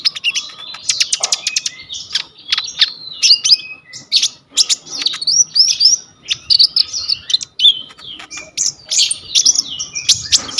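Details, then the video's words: Full-repertoire coconut lorikeet song used as tutor material for kolibri ninja birds, phone-recorded: a dense, continuous torrent of shrill chirps, sharp ticks and warbled high whistles over ten seconds, with hardly any pause. "KONIN GEACOR FULL ISIAN 99% COCOK BUAT MASTERAN KOLIBRI NINJA TROTOL/IJOAN"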